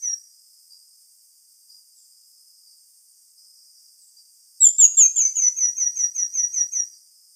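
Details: After several seconds of near quiet with faint high hiss, a pin-tailed manakin delivers a quick cascade of about fourteen high, thin, downward-slurred notes over two seconds, strongest at the start and tapering off.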